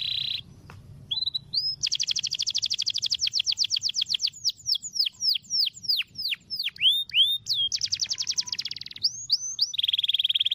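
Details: Long rolling canary song meant for training other birds: a bright opening note, extended rapid trills, rattling downward sweeps repeated several times a second, another fast buzzy roll, then a steady sustained trill to finish.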